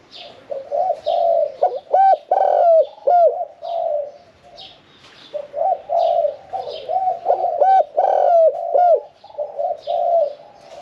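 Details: A medium-voiced spotted dove, caged for about sixteen months and not yet taken to a contest arena, coos in the 'khan yon 1 kuk' style. Soft, throaty phrases repeat steadily, broken by short swooping notes, with light chirping behind.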